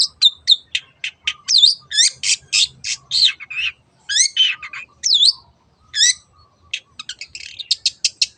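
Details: Long-tailed shrike in its 'teot teot' style, used as a lure to get other birds singing: a rapid run of sharp, high chattering notes and upslurred whistles, with brief pauses between bursts and a faint steady low tone underneath.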